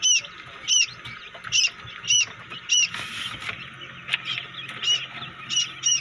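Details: Newly hatching quail (batair) chicks in a homemade incubator make bright, thin peeps, single high chirps spaced roughly every half second, with a brief rustling burst midway and low hum behind.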